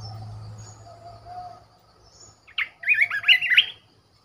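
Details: ['Red-whiskered bulbul kept as a caged decoy bird; a low hum fills the first half before a quick string of bright, warbling whistled notes bursts out near the end.']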